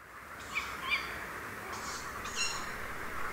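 Tawny owl alarm calls: four short, harsh, clipped barks spaced unevenly over three seconds, over a steady background hiss.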